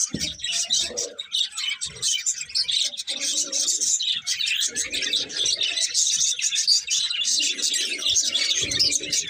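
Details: Two budgies keep up a continuous bright chirping warble, while softer mid-pitched murmuring sounds come and go beneath it.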